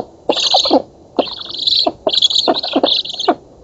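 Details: Polish black stork nestlings in an oak, filmed by nest camera at a feeding on 11 August 2017, give three long, rasping, breathy hisses separated by brief pauses, underlaid by gritty clicking.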